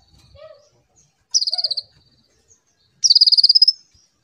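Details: Konin song played as a lure for training young birds: two rapid high trills of evenly spaced notes, the second longer and rising at the end, after a few soft lower notes.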